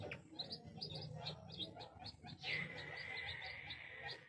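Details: Crested fireback chick: faint, short high peeps repeated in a quick uneven series, with a brief thin whistle midway and low background rumble.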